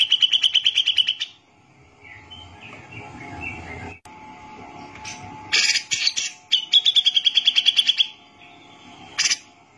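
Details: Grey-cheeked bulbul (cucak jenggot) in vigorous 'gacor' song, used as a tutor recording for training other songbirds: fast trains of sharp repeated notes near one pitch, with softer warbling and a brief gap between bursts, rapid high chips at the end.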